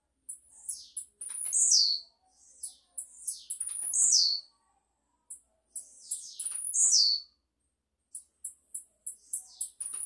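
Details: Blue-black grassquit singing repeatedly: short high buzzy phrases, each ending in a sharp descending sweep, repeated about every two and a half seconds with brief high chips between.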